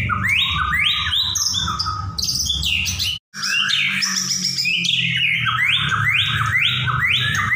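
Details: Continuous white-rumped shama song with rising whistled sweeps, high trills and varied phrases, a brief silent break midway, then repeated upward swoops resuming; low hum throughout.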